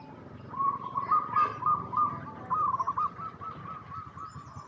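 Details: Local zebra dove, a prolific singer used as a lure to make other doves answer: rapid staccato cooing notes repeated several times per second in a steady, slightly rising and falling series, with faint background noise.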